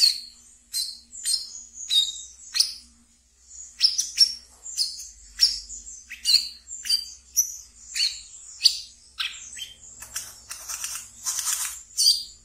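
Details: Caged brown-throated sunbird singing in the ngeriwik style, kept as a pet and played as a lure for untrained birds: sharp, very high chirps and short buzzy notes, repeated about twice a second, with a denser scratchy burst near the end.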